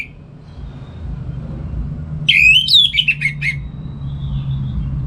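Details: Brief morning song burst from an orange-headed thrush in North Bali, sung in ngeplong style to tutor other songbirds: one loud rising whistle running into a fast falling series of notes, then quiet hum.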